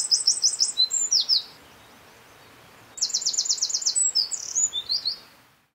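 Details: A Eurasian wren (Troglodytes troglodytes) recorded at N49°52' E18°11' sings two loud, high bursts of rapid trills and chattering notes, each about one and a half seconds long, separated by a short pause.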